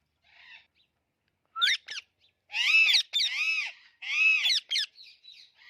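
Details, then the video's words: Alexandrine parakeet in a run of drawn-out, raspy, arching squawks, preceded by a quick rising note and followed by softer chatter. "Talking Parrot and Alexandrine Parrot"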